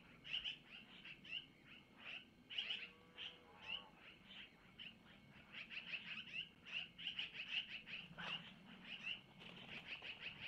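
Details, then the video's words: Begging long-eared owl chicks at a nest in Missoula as the mother, taking prey from the male, feeds them around 5:05; a long run of fast, sharp, high squeaks, growing denser and nearly continuous toward the end. "Mom takes from Mr to Feed Little Owlets -Long Eared Owl"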